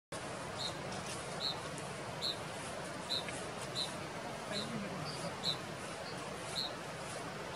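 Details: Canyon wren dancing and calling in Zion National Park on November 1, 2017: sharp, high single notes, about one each second, over a steady rushing hiss.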